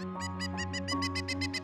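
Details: A Pileated Woodpecker in Canada gives a rapid run of about ten shrill, ringing notes, roughly six per second and growing louder, an intensifying alarm call that warns other woodpeckers, over steady background music.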